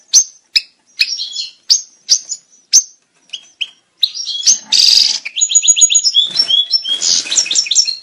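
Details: European goldfinch breeding-stimulation song: a series of separate bright clipped call notes about every half second, then a continuous run of buzzy trills, a harsh rasping note and quick tinkling phrases.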